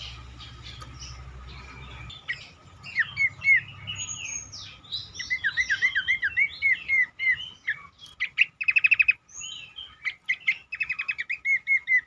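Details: Cingcoang song used to make other cingcoang sing more: a long sequence of repeated downslurred whistles, sharp chips and brief rapid trills, growing busier toward the end.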